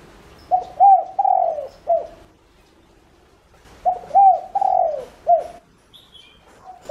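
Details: Spotted dove lure call, used to draw other doves in: two bouts of soft low cooing, each a short run of hollow mellow notes with a longer drawn note in the middle, separated by about two seconds of quiet.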